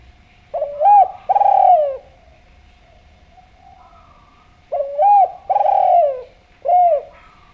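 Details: Lively Javan spotted dove calling as a lure: throaty coo phrases, a short hooked rising-falling note then a long burry descending coo, repeated after a few seconds' pause and ending on a clipped single note; faint steady hum behind.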